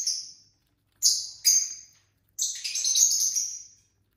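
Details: Captive lovebird pairs chirping while eating dinner: a single sharp high chirp, then two quick ones, ending in a longer, harsher, buzzy chattering phrase of over a second.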